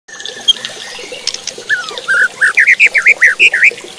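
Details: White-rumped shama song meant to provoke other shamas into singing more and aggressively: a few faint notes, then a run of loud, short, bent whistled notes in quick succession, with a faint background hiss.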